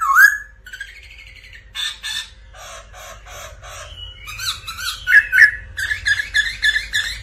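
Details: Black laughingthrush in intense song, used as training song for other laughingthrushes: a rising whistle, then harsh, buzzy squawking notes repeated in quick bursts, building into a fast, rasping chatter.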